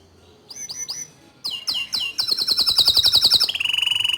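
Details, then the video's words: Bottle-green canary in full, nonstop song, offered as a master song for training young canaries: a few high chirps, then rising notes that run into a fast, shrill trill, ending in an even rapid buzzy rattle. "Kicau Kenari Hijau Botol Gacor Dor Cocok Untuk Masteran Kenari Paud dan Bahan"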